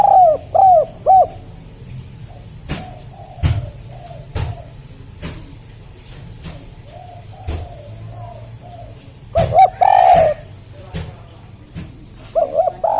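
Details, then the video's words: Spotted dove in a village setting, giving short cooing phrases, some loud and some faint, amid a steady low rumble of traffic and sharp clicking knocks. "suara burung TEKUKUR serasa didesa"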